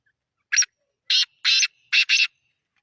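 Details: Black francolin, known locally as black teetar, calling: five harsh, rasping notes. A short note comes first, then a pause, two longer grating notes, and a quick closing pair, all against clean silence.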